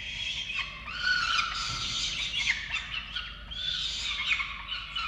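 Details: At a falcon nest in Orange, Australia, on 13 November 2022, feeding time for the chicks brings unbroken hoarse, nasal wailing from several birds, dipping briefly in loudness before swelling again.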